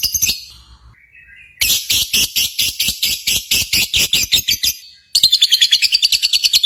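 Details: Contest lovebird song: long runs of fast, piercing, high-pitched chatter made of evenly pulsed notes, broken by a short lull before a final steady burst.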